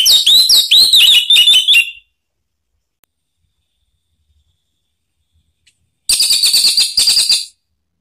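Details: Orange-headed thrush singing to provoke another bird to answer: two bursts of fast, rich whistled phrases with rising and falling notes, separated by several seconds of silence.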